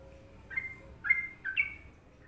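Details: Sooty-headed bulbul from Indonesia in Trucukan rhythm, giving three soft whistled notes, the last slightly higher, over about a second, with low background hiss.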